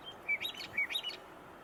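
Western Meadowlark giving two matching bright phrases half a second apart, each a short clear note followed by a quick, bubbly warble, over faint background hiss.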